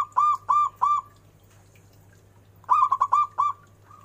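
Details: A local zebra dove with a big voice gives three ringing, hooked coos. After a pause comes a quicker run of five or six linked notes, over a low steady hum. This is a lure recording.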